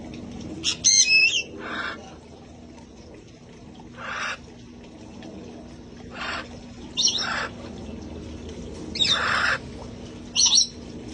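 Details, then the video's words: Parrots of a sanctuary flock out in the open before the cold set in: isolated loud squawks and bright warbled whistles spaced a second or two apart, with a low background hum. "sounds of parrots having fun outside enjoying life"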